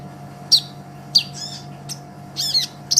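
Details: Olive-backed sunbird singing actively, used as a master recording for training songbirds: sparse, sharp, very high chirps and short buzzy twitters spaced about half a second apart over a faint steady hum.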